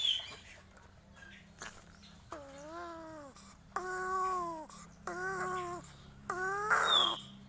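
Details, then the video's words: Crow making strange calls: four wailing, harmonic, arched notes, each about a second long, repeated with short pauses and growing louder toward the end. Faint background hum. "SUARA ANEH Burung GAGAK"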